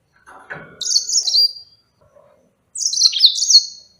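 A yellow-fronted canary sings two bright, high twittering phrases, each a quick run of sweet descending trills, separated by a brief pause.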